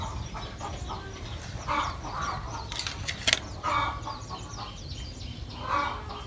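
A talking bird repeats a short, human-like word, something like "papa", in rough bursts every second or two, over steady background hiss and one sharp knock.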